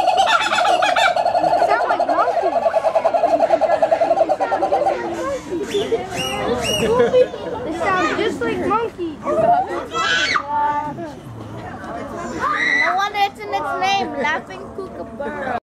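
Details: A Laughing Kookaburra at Houston Zoo breaks into a rollicking chorus of chuckling, rising and falling hoots after a steady droning opening, with people talking in the background.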